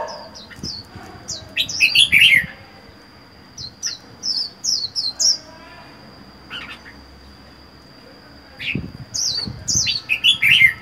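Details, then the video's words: Red-whiskered bulbul, wild-caught and caged alone for four months, delivers rapid runs of squeaky downslurred whistles and harsh chirps in clustered phrases, with a faint steady high tone throughout. "Chào mào một mình một nhà có thể căng được không?"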